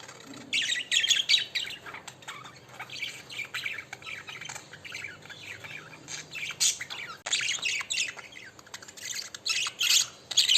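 Budgerigars chatter continuously with bright, scratchy chirps and warbles, several birds calling over one another.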